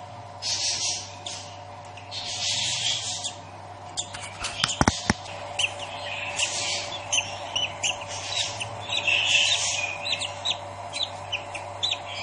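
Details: Budgerigar chick hatching from its egg; thin, high chirps come in short clustered bursts over a steady low electrical hum, with a few sharp clicks and knocks in the middle.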